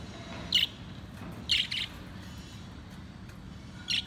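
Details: One of four pet lovebirds that play together and chirp a lot gives short, sharp high chirps in three bursts spaced roughly one to two seconds apart, over a low steady background hum; lovebird.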